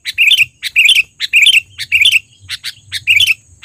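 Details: Sooty-headed bulbul, a trained bird, giving loud lure calls: short bright chirpy phrases in quick bursts about every half second, some with a bubbly warbled ending, over faint low background hum.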